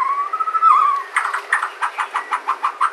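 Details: White-rumped shama of Sumatran origin, song used as a lure to prompt other shamas to sing: a long slurred whistle, then a quick series of about ten short, even, throaty notes.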